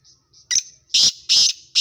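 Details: Black francolin of Sindhi stock calling at speed: a soft thin note, then four loud, harsh, rasping bursts in quick succession, each about a quarter second long.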